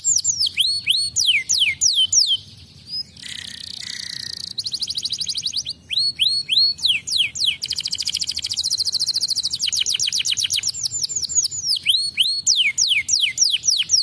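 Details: Canary song meant to coax juvenile canaries into singing, made of long runs of rapid downward-sliding whistled notes alternating with dense buzzy trills, all high-pitched and continuous.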